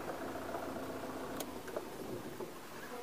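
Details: An idling vehicle engine rumbles steadily under faint voices, with no animal calls standing out.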